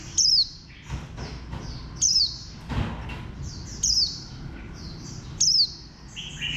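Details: A khuyên xanh (green white-eye) with a compact bantam-like shape, bird 04, gives four sharp high notes that slide downward, about every 1.7 seconds, with a low thud and scattered soft chirps between them.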